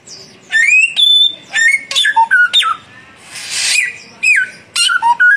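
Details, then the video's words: Samyong bird singing in a duel between a young and a mature bird: loud whistled notes, some rising and some falling, in quick bursts with brief harsh noisy passages between phrases. "samyong muda vs samyong mapan duel gacor"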